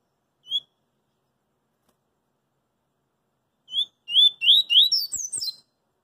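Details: Double-collared seedeater singing in the street: a lone whistled note, a pause, then a phrase of slurred whistles climbing into a rapid, high, twittering flourish.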